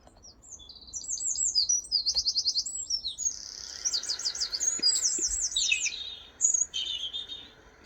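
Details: European robin in a British garden singing a relaxed, high, liquid song of varied trills and thin whistles, quickening and slowing like water running down a brook.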